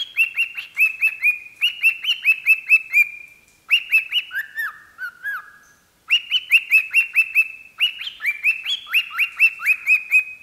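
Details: Pet parrot singing into a microphone, whistling quick phrases of clipped, bright notes separated by short pauses, with a lower, gliding slurred whistle in the middle before the rapid notes resume.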